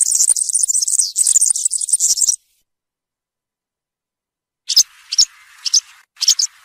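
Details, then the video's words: European serin 'campero' song: a two-second burst of rapid, thin jingling, then silence, followed by several separate sharp high chirps with a faint lower buzz beneath them. "𝗩𝗘𝗥𝗗𝗘𝗖𝗜𝗟𝗟𝗢 𝗖𝗔𝗡𝗧𝗔𝗡𝗗𝗢 𝗖𝗔𝗠𝗣𝗘𝗥𝗢"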